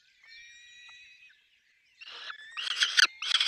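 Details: At a peregrine falcon nest with chicks, a thin drawn-out whining note is followed after a short silence by loud, harsh rasping bursts.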